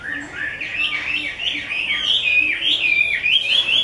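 Chinese hwamei singing a rich, continuous run of loud whistled phrases, sliding up and down, about four notes a second, with a faint low hum behind.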